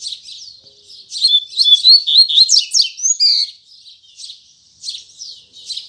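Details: A double-collared seedeater delivers its Tui Tui Zel Zel morning song. A loud rush of rapid whistled and trilled phrases fades into a few softer scattered buzzy notes.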